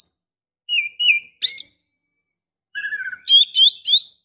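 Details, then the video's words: A breeding-condition female Oriental magpie-robin calls a male: two clear slurred whistles, a sharp chirp, a pause, then a low trilled note followed by rising high whistles. "Pancingan Suara KACER BETINA GACOR Birahi Mantap Untuk Memancing KACER JANTAN Agar Mau Nyaut BUNYI!!"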